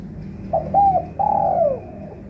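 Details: Spotted dove, a trained decoy bird whose cooing serves as a lure call for trapping doves that have stopped calling; three clear cooing notes, two short then one long drawn-out note that slides downward at its end, over faint low background hum.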